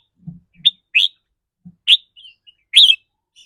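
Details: Short burst of red-whiskered bulbul 'rik rua' trilling song, style said to shift with the bird's mood: four or five sharp whistled chirps, the last one loudest, with a couple of soft low taps.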